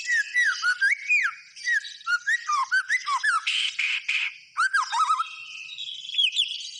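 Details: Rich white-rumped shama song with a quick series of fluty whistles sliding up and down, a pair of rasping bursts in the middle, then more down-slurred whistles and softer chatter.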